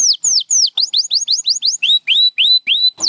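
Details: Canary singing a sequence of loud whistled syllables: several falling sweeps, then a group of rising-and-falling notes, then a run of level, slightly rising whistles, roughly three notes per second.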